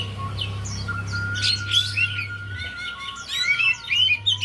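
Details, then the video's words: Javan white-eye song serving as a lure for a bird reluctant to sing: scattered high chips building into quick, sweet twittering phrases, accompanied by a steady tone and a low hum. "Pas Banget#Buat Pancingan Untuk Poci Yg Malas Bunyi"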